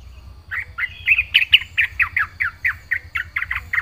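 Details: Yellow-vented bulbul in vigorous fill-in song: a long, steady string of short downslurred whistles, about four per second, each fairly loud, over a faint low hum.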